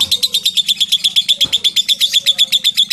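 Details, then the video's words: Lovebird long rapid chatter, used as a lure recording to prompt other lovebirds to answer: an unbroken run of high, scratchy notes, about eight a second, over a faint low hum. "LOVE BIRD NGETIK NGEKEK PANJANG"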